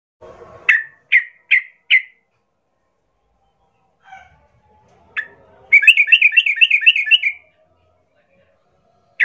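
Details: Sooty-headed bulbul in full song, used as a lure to provoke rival bulbuls to answer and fight: four clear separate chirped notes, a pause, then a fast bubbly rattling trill of about a dozen notes and a final note.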